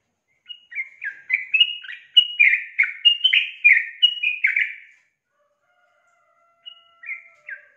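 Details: Luring call of a female Yellow-vented Bulbul meant to make a male sing along: about five seconds of quick, liquid chattering notes, then a pause and three softer slurred notes.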